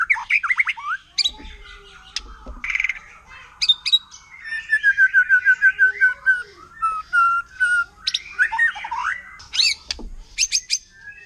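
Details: Wild white-rumped shama of the forest, singing to provoke rival shamas: a varied medley of whistles, chips and a descending chain of mid-pitched notes, with uneven rhythm and faint low background noise.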